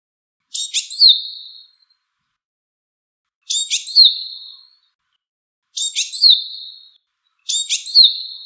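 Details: Four high calls from a wild Japanese tit, each a burst of sharp ticking notes running into a thin drawn-out whistle, coming faster toward the end, with no other sounds.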